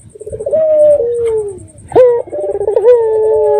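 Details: Red-eyed dove call used to make other doves respond, a falling drawn-out coo, then a sharp upward note running into a rolling trill and a sustained mellow tone.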